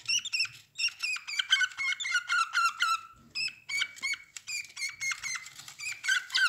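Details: Budgerigar chicks with their mother in a nest box, eyes newly opened and feathers growing, huddling together: dense rapid chattering of squeaky, harmonic calls, many falling in pitch, overlapping almost continuously in a small indoor space.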